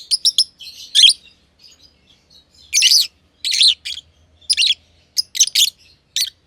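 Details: Green and green pied personata lovebirds kept in an aviary, chirping with scratchy high bursts, some paired, separated by short quiet gaps and soft twittering.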